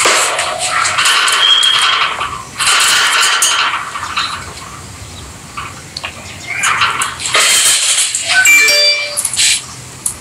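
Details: Peach-faced or rosy-faced lovebirds, pet birds playing together, giving dense bursts of harsh, squeaky chatter with short shrill whistled notes in between, loud stretches alternating with quieter moments.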